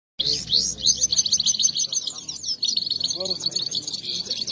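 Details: Himalayan goldfinch, locally called saira, in a singing fight: a fast, high, tinkling twitter of liquid trills and chirps, almost unbroken, with a brief low voice-like sound midway.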